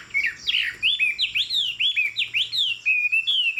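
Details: Tame Chinese Hwamei with a fig-leaf tail sings from its high perch: loud ringing whistled slurs in quick succession, rising and falling, ending in level sustained whistles.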